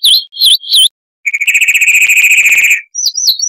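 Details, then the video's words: Harsh-voiced chalk-browed mockingbird tutor recording for cage birds. Three wavering whistled slurs, a pause, a very rapid rattling trill, then quick high twittering notes. "Masteran Burung Luar Negeri Suara Kasar - Chalk-browed Mockingbird (Mimus saturnin)"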